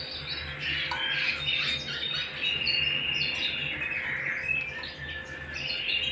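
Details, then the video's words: A canary singing at home gives dense, rapid chattering trills and scratchy high notes in quick succession over a low constant hum. "canary singing at home"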